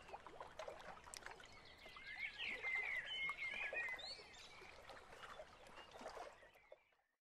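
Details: Western capercaillie in Lithuania, the largest bird of its forests and listed in the Red Book; dry broadband clicks and rapid scraping, grinding rattles, with a thin, high warbling songbird in the background through the middle seconds.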